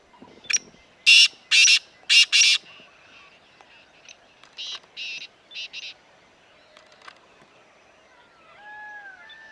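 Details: Black francolin in grassland at Corbett Tiger Reserve, Uttarakhand, India: harsh, buzzy, grating notes in two short rhythmic bursts of four and three. Faint whistled notes from other birds follow near the end.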